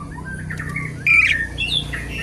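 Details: Asian pied starling song for luring and tutoring other birds: soft gliding whistles, then a loud rasping, buzzy phrase followed by further whistled notes over a faint low hum.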